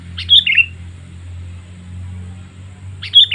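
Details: Lure calls of a sooty-headed bulbul for catching wild birds: two identical quick, chirpy, tumbling phrases about three seconds apart, over a constant low humming drone.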